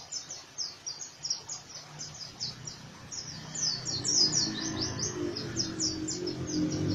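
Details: Oriental white-eye delivering rough 'ngriwik kasar' song: a fast, steady stream of high, sharp chirping notes, around two per second, continuing over a low murmuring background.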